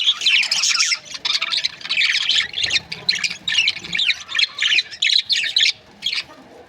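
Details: Budgerigars in breeding pairs give bursts of shrill squawking chirps, loud clusters of about half a second separated by brief gaps, tailing off near the end.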